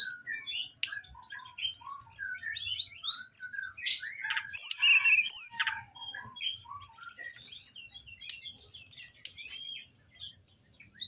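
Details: Orange-headed thrush song played as training material for caged birds: a rapid, varied stream of high chirps, short whistles and sharp slurred notes, with a louder run of bright whistles near the middle.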